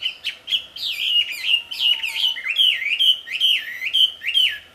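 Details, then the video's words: Loud, melodious wambi song in the wild: rhythmic whistled phrases, each a short rising note followed by a descending slur, repeated roughly twice per second in a lively run. "Suara merdu burung wambi di alam liar ternyata sangat merdu dan keras"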